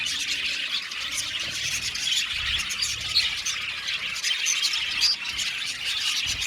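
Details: Many budgerigars in an aviary singing and chirping together, a continuous high, buzzy warble of overlapping chirps and squeaks with a faint low rumble beneath.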